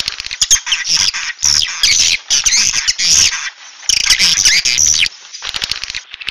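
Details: Swiftlet 'suara inap' calls: dense bursts of high, sharp chirps and twitters, broken by short pauses and overlapping in a busy, scratchy chatter.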